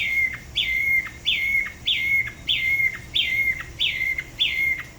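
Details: Solo singing from a Da Lat spot-throated babbler at La Ba river. Seven evenly spaced whistles each start high, fall, and level off into a steady tone, ending with a short downward flick.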